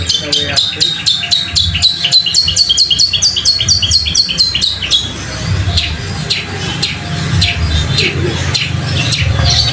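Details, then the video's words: Long-tailed shrike masteran in sparrow-fight speed-roll style: a long, rapid trill of clipped high notes that gradually rises, then scattered sharp chirps and squeaks over a rougher background with a low hum. "Masteran Cendet suara gereja tarung roll speed gacor di jamin langsung niru dan gacor_"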